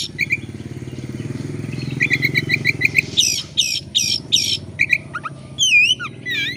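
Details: Oriental magpie-robin (kacer) singing as a lure to start other birds: rhythmic repeated chirps, then four loud harsh squawks, then looping whistled slurs, over a steady low rumbling hum.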